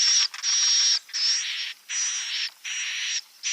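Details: Edible-nest swiftlet calls used to lure the birds into nesting at a site: harsh, buzzy high chirps with a thin whistled edge, given in long bursts separated by short gaps, about one and a half per second.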